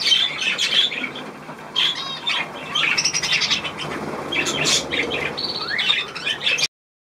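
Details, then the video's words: Budgerigars wanting a bath, recorded 16 March 2024: separate sharp chirps and squawky bursts, a short clear whistled note near the end, between quieter stretches of rustling and soft wing flutter before it cuts off. "Auch die Wellis möchten baden"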